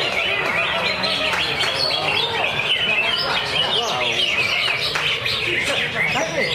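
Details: Greater green leafbird in a lovebird cage in nonstop 'ngentrok' song packed with filler phrases; fast twitters, clipped chips and bouncing whistled notes tumble together in a loud continuous flow.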